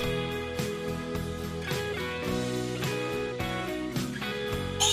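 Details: Loud strummed guitar music fills the recording with sustained chords, and no animal calls stand out.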